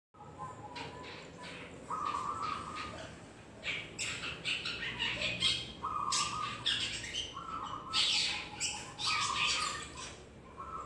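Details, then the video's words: Young long-tailed shrike learning to sing: harsh, scratchy squawks and noisy bursts come in uneven runs, with short, flat, mid-pitched tonal notes repeated between them. "cendet trotol belajar bunyi"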